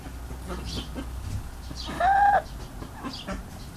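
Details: A goose, described as sweet and happy, gives one short nasal honk with a steady, slightly arched pitch lasting under half a second, over quiet low background rumble.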